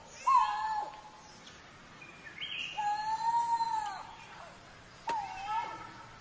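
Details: Coral-billed ground cuckoo uttering loud, drawn-out moaning whistles, one long level note in the middle flanked by shorter ones, over soft higher-pitched twitters of other forest birds.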